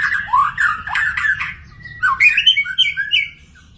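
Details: Wild magpie-robin singing: a varied run of loud, slurred whistles and harsh squawky notes that rise and fall, a short pause, then a brighter warbling phrase of quick high whistles.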